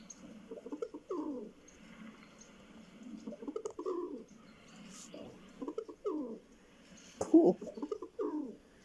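Rock pigeon cooing: low, throaty, rolling coos given in bursts roughly every second or two, with a soft gurgling quality and nothing else prominent.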